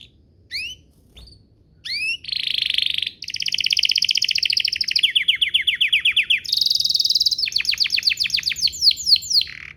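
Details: Canary singing as a prompt to set other canaries singing, a few sharp upswept chips, then long buzzy trilled rolls and fast repeated descending sweeps.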